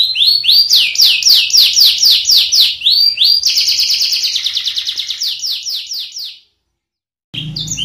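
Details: Canary on display at Uranus Park, Pemalang, Central Java, Indonesia, delivering rapid rising slurred notes repeated about four times a second, then a faster dense trill that fades into silence before a short noisy burst.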